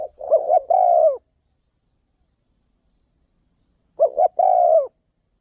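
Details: Spotted dove, a decoy bird taken to another province to call in wild doves. It sings two identical phrases about four seconds apart, each two short rising coos then a long, drawn-out, deep crooning note.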